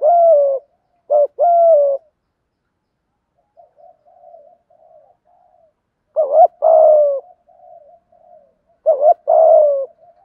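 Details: Thổ-style spotted dove coo, with male and female birds, used to urge doves to call: bursts of mellow two-part coos separated by pauses, with softer, fainter cooing murmurs in between.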